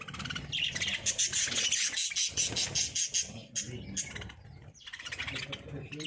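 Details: Breeding lovebirds make bursts of shrill, fast chirps repeated in quick pulses, briefly dropping off before resuming, over a steady low rumble like a passing vehicle.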